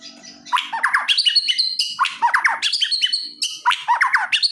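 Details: White-rumped shama giving aggressive song full of rapid bursts, meant to provoke a quiet shama into answering: loud clusters of sharp, downslurred notes and bright whistles, repeated in three bursts with short pauses.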